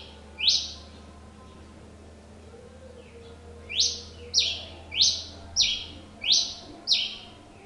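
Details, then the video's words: Pileated finch singing a lot, giving a single loud downslurred chip, then after a three-second pause a rapid series of six strident, buzzy notes roughly every half second; low steady hum underneath. "Tico tico rei cinza cantando muito"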